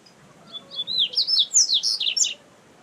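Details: In the wild, a rusty-collared seedeater delivers a lively song of whistled notes swelling into a fast series of loud, sweeping up-and-down slurs, about a dozen in under two seconds, over faint background hiss.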